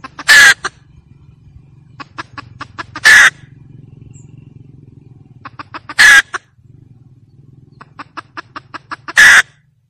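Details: A hen cackles as lure sound, with runs of quick clucks broken every three seconds by a loud, rasping drawn-out squawk, four squawks in all, over a low steady hum.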